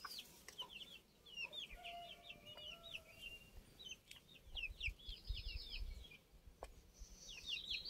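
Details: Older chicks heard on 29 June: many thin, high peeping calls, often rising or falling, overlapping in a busy stream, with soft low rustling and a few sharp knocks underneath.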